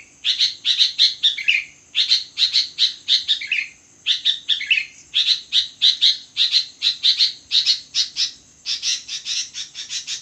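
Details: Long, energetic midnight song of a sooty-headed bulbul: rapid chains of high chirps interspersed with lower, dropping warbled phrases, repeated in bursts about every two seconds, on a faint constant high-pitched hum.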